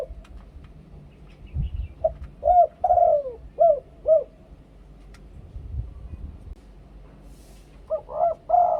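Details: Spotted dove giving its two-kuk, ku-ang song: a burst of soft, arched, hollow coos mid-clip, a quiet gap, then another phrase starting near the end over faint low rumble.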